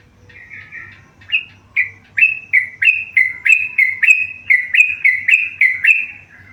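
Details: A tame yellow-vented bulbul starts quietly, then builds into a fast run of loud whistled notes alternating high and lower, roughly three per second, over a steady low hum.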